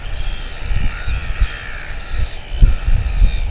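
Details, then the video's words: Northern royal albatross, recorded 17 March 2023. Drawn-out, raspy harmonic calling runs almost throughout, with strong gusting wind roaring underneath. "Northern royal albatross"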